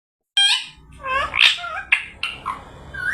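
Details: Parrot talking nonstop; a sudden loud squawky phrase, then a run of harsh, voice-like syllables with sliding tones, short pauses between bursts, indoors.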